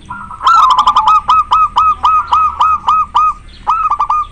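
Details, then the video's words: Breeding-condition local zebra dove in full song: a fast, even run of about fifteen short clipped coos at a steady pitch, a brief pause, then a closing burst of rapid notes. "Perkutut lokal gacor sangat jernih suara lokal alam manggung koar koar over birahi"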